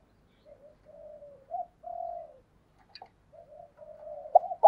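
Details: Spotted dove decoy bird calling to lure wild doves: soft, low coos in uneven runs, with a few faint clicks and a loud knock at the end.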